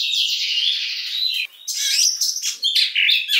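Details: Oriental magpie-robin, kacer, pouring out a buzzy sustained trill that shifts in pitch, then a short pause and loud scratchy varied notes.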